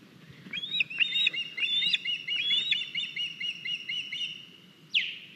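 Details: Estonian osprey at the nest on 9 August, a young bird bringing in a large fish: loud, fast series of high whistled piping notes with sharp rising and falling inflections, running for about four seconds, ending in one harsh burst.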